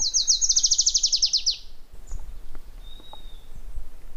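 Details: Adelaide's warbler song: a fast high trill of about fifteen buzzy notes, slightly falling in pitch and lasting about a second and a half, followed by faint wind noise and a thin distant whistle.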